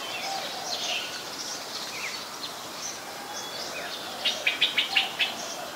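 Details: Streak-eared Bulbul recorded on 20 January 2021 in Ubon Ratchathani, Thailand: soft scattered chirps give way to a brisk burst of five or six sharp, evenly spaced chips toward the end, over constant hiss.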